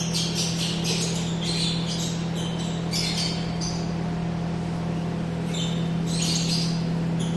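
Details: Yellow-collared lovebird giving rough, shrill chattering squawks in short repeated bursts, separated by brief pauses, all over a constant low droning hum.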